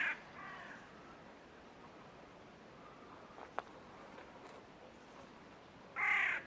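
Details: Great egret giving two harsh, hoarse croaks, one at the start and a louder one near the end, with a quiet stretch and a faint click between them.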